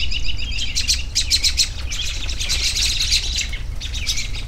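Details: Relaxing bird chorus with bursts of sharp, high chirps and twitters coming in quick clusters, several birds overlapping, above a continuous low rumbling hum.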